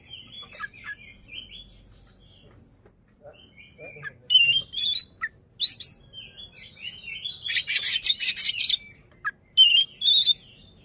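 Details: Oriental magpie-robin singing and fanning its tail to agitate a rival; quiet scattered notes at first, then loud sharp whistles and a long grating rattle near eight seconds, ending with clear whistles.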